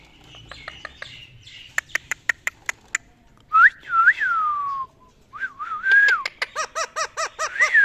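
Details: Talking ring-necked parakeet, a pet, mimicking: a run of sharp clicks, then loud, clear whistled phrases that swoop up and down, ending in a string of short wavering notes, all in a quiet indoor space.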